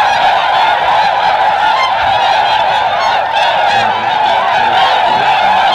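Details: Spooked wild Tundra swans taking off en masse, Aylmer Wildlife Management Area, Ontario, Canada, March 18th 2017; a continuous loud din of high honking calls from a huge flock, overlapping without break.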